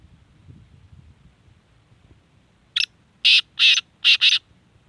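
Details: Black francolin calling in Sindh, Pakistan: a short sharp note, then a rapid run of harsh, scratchy bursts, the last two almost joined, with faint low background hum.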